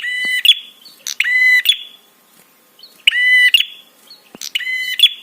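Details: Harsh, buzzy prinia notes with a ticking rattle, in pairs separated by a silent stretch of about a second, with clicks in between. The call is used to provoke other birds to answer and to rouse them.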